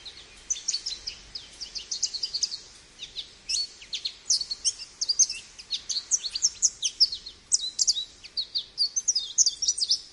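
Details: American goldfinch pouring out a continuous, jumbled warble of high, sharp twittering notes in rapid succession for ten seconds, with light background noise.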